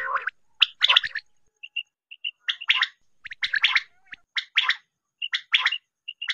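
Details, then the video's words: Hunting call of a quail: quick clusters of sharp, clipped notes about once a second, with short pure whistled pips between the clusters. "batair ki shikar vip awaz.batair sound"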